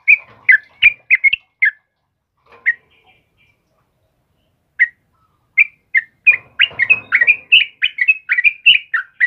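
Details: Morning song of a yellow-vented bulbul (trucukan kebo), sung vigorously: a burst of bubbly chirped notes, then a pause broken by a few single notes, then a fast run of warbled phrases at the end.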